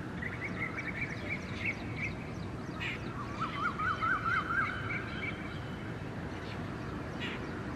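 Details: Pair of red-naped ibis feeding on the ground at IISER Mohali; a run of about six nasal, chevron-shaped notes in quick succession stands out, with fainter higher chirps earlier and a steady noisy outdoor background.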